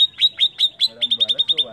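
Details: Greater green leafbird song used as a lure to provoke other birds: a rapid series of sharp, high chirps, about five per second, with fainter low warbling notes underneath in the second half.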